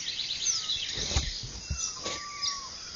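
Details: Mixed wild birds singing at first light in the Venezuelan llanos near Ciudad de Nutrias, Barinas, on a ranch, 12 February 2009: high chirps and trills overlap, with a long, steady whistled note near the end and faint low background noise.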